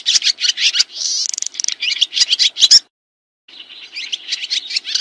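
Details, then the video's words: Swiftlet twittering used as training audio for kacer and murai birds: fast, high-pitched chips and a short buzzy trill, broken by a silent gap near the middle, then softer chattering resumes. "SUARA BURUNG SRITI"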